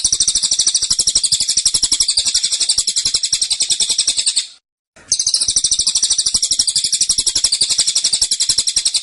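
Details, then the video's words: High, piercing chirps from a cililin in 'tembakan' style, packed tightly at roughly four notes per second, with one brief gap midway through an otherwise continuous volley. "Tembakan Cililin Suara Rapat Dan Ngotot"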